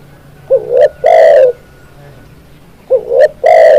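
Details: Spotted dove in a bird-training recording, singing two phrases: a soft upslurred coo and clipped note leading into a long, loud, slightly falling coo, spaced about two and a half seconds apart over a low hum.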